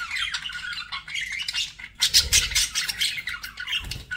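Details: Budgies kept as pets, squawking and chirping in harsh, buzzy bursts, with a louder cluster of calls in the second half and occasional low thumps.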